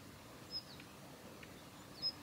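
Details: Female Daurian redstart giving ground calls at the Kita-Fuji training area, Japan, on 7 November 2021: two thin, high whistled call notes about a second and a half apart, each followed by faint ticks, over quiet hiss.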